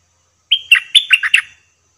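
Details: Decoy bulbul in a trapping cage delivers a short, lively phrase: a level whistle, then a run of five bubbling, downward-slurred notes lasting about one second.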